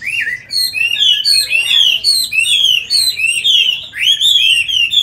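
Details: A tame captive Chinese hwamei pours out a loud, continuous song of rich, slurred whistles and rapid varied phrases, high-pitched and almost unbroken, with no other sounds heard.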